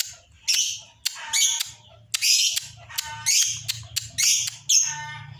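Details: Excited lovebird chattering in rapid, irregular bursts roughly every half second, each a harsh, buzzy, high squeaky rattle, played as a lure call; faint low music runs underneath.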